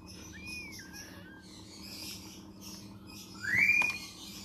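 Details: Begging from a hand-raised blue-eyed cockatoo chick: a soft wavering whistle, a pause, then a louder quickly rising whistled note with a buzzy edge; low steady hum behind.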